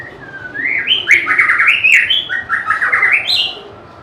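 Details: White-rumped shama, a favourite with bird collectors, delivers a loud, rich song: rising whistled notes followed by rapid descending trilled phrases repeated in quick bursts, then a high note at the end.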